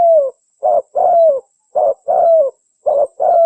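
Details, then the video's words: Lure call of the spotted dove: regular series of low coos, short notes alternating with longer ones that dip at the end, roughly one note every half second. "SUARA BURUNG TEKUKUR (DERKUKU) PIKAT PALING TOP"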